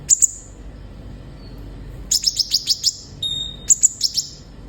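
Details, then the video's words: A pair of shrill chirps from a sunbird, a quiet gap, then a fast string of about seven sharp ticking notes, a brief level whistle, and another chirp series, played to get captive birds singing. "Terapi suara burung kolibri ninja gacor bikin konin bahan cepat bunyi"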